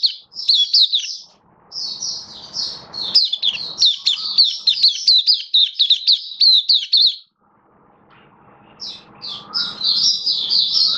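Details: Oriental white-eye singing in captivity, October 2022. A rapid, dense stream of high, bright chirps lasts several seconds, then a break filled with faint background noise before more twittering bursts return.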